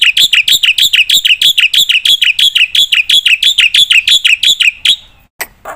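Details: Black-winged myna in energetic song, used for prompting and tutoring other birds: a fast, steady volley of loud, sharp, clipped whistled notes, about three per second, ending abruptly.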